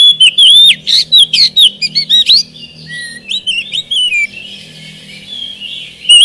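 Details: Oriental magpie-robin song used as a lure for birds reluctant to sing: rapid pulsed whistled notes, then looping, wavering phrases and a soft, fading warble over a low steady hum.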